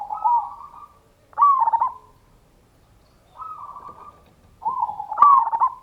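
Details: Local zebra dove song, ngayer kerot nutut style, used as a lure for other doves. Mellow coos alternate with loud, stuttering rolled notes in two clusters separated by a brief silence.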